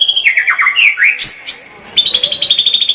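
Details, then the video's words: White-rumped shama in lively song: a quick string of downward-sweeping whistles, a rising slur and a high held note, then a brisk rapid trill of repeated high pulses. "kicau murai batu gacor full tembakan"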